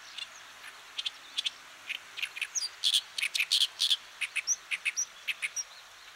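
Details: Oriental reed warbler (Acrocephalus orientalis), a Japanese wild bird of farmland, grassland and waterside, gives loud, harsh, grating notes in a rapid chatter, about three to four a second, with a few thin whistled notes mixed in.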